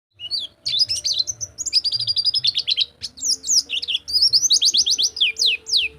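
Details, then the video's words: White-eye song for training birds that have stopped singing: fast, varied high chirps and trills, with short rattling bursts and whistled notes running almost continuously. "Masteran Pleci Rol Tembak Untuk Pleci Macet Bunyi"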